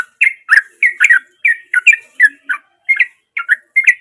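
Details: Sooty-headed bulbul singing vigorously in its natural voice: a rapid series of short, bright chirped notes, often in quick pairs, about thirteen bursts in four seconds, each with a slight downward slur.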